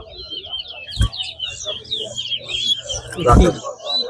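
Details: Towa towa singing at a competition at Lamaha Ground: an unbroken stream of high, rapid trilled and chirped notes, interrupted by two sharp bursts of voices.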